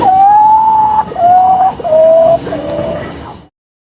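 A potoo gives four mournful whistled notes, each held about half a second and stepping lower in pitch, over a faint background hiss.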